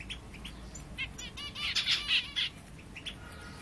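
Egyptian bulbul giving scattered bright chirps, then a quick burst of warbled, bubbling notes in the middle before trailing off; a faint low background hum underneath.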